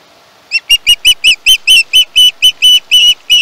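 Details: At a Chesapeake nest on 21 August 2019, a young osprey screeches insistently, over a dozen piercing, harmonic notes rapidly repeated at about two per second and growing longer toward the end, picked up by a live camera.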